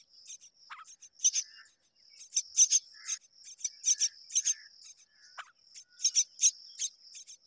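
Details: Two mynas sharing the work of raising their young. Clipped, buzzy chirps come in quick clusters with brief pauses, a couple of descending squeaks among them, all over a continuous faint high whine.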